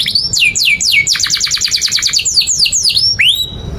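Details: Long-singing canary, song used to teach young birds: three falling whistled sweeps lead into a dense rapid chattering trill, more downward sweeps, then a rising whistle held steady at the end.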